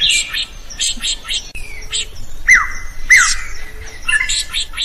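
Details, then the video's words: Drongo in full song, a recording meant to train other birds; a few harsh high chirps, then two loud, ringing downslurred whistles about half a second apart, followed by scratchy chatter. "SUARA SRIGUNTING GACOR"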